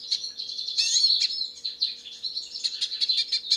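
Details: Wild hooded siskin in nature, singing a lively, high-pitched warble of chirps and twittering trills. It is steady throughout, with a brief dip in the middle before the notes pick up again.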